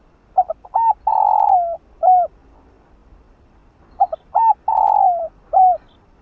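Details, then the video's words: Spotted dove (cu gáy, cu đất) cooing to spur captive doves to coo: two phrases about three seconds apart, each of quick stuttered notes, a long wavering coo sliding down, then one short closing coo. "Cu Gáy Kích Bổi"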